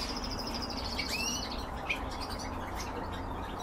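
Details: Canaries kept for breeding sing a short, quick high trill, then a quick descending whistled sweep and a single sharp chip, over steady low background noise.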